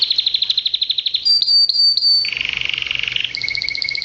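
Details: Pet canary singing: a fast even trill of rapid repeated notes, then a sustained high pure whistle, a buzzy rolling tour, and a final steady trill on two pitches, all loud and close with a quiet room behind.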